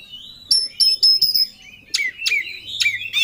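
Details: Oriental magpie-robin kept as a contest songbird, in an agitated rival-seeking song: clear high whistled notes repeated about every quarter second, then harsh downward-sweeping rasps and a final bright warble, over a low background hum.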